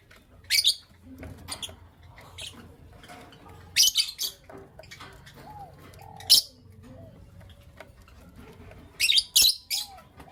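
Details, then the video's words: Lovebirds, creamino with lutino opaline, in the morning: harsh, high-pitched chirps come in bursts, often doubled, with low murmuring and soft clucks between them. "Lovebird Chirping Sounds"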